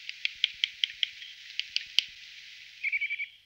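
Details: Eurasian nuthatch giving short, sharp, clipped notes, about ten spaced irregularly over two seconds, then a fast run of five or six quick piping notes.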